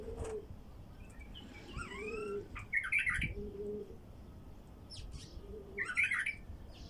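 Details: Wild bulbul singing, a recording meant to draw in wild bulbuls: two rich, rapid warbled phrases about three seconds apart, with soft low coos and thin rising whistles from other birds between them.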